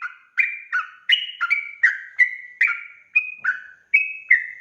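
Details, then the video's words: Sooty-headed bulbul singing in the lively 'gacor' style used to lure others into answering: rapid bubbling two-tone notes, some dropping, some climbing, in an unbroken chatter. "trucukan ropel gacor RAJA PIKAT ini REKOMENDASI MENJADIKAN agar burung trucuk gacor NYAUT SEKETIKA"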